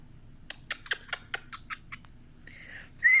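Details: Pet male cockatiel coaxed by its owner to sing: a quick run of about nine sharp, dry clicking chirps, a brief pause, then a steady whistled note followed by a louder, slightly rising clear whistle.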